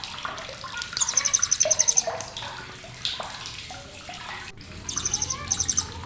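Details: Srindit, the blue-crowned hanging parrot, with sharp crisp chatter: two bursts of fast, piercing high chips, one near the start and a shorter pair later, amid softer chirps and a running-water hiss.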